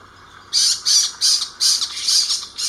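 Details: Spotted owlets in Ahmedabad, Gujarat, give their screeching call: harsh, hissing screeches in quick bursts, about three per second, high and rasping with no clear tone, little else heard behind them.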